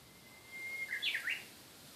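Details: Song of a Japanese bush warbler: an even whistle drawn out for most of a second, ending in a fast burst of three clear, swooping notes that jump up and drop back. Calm, still background.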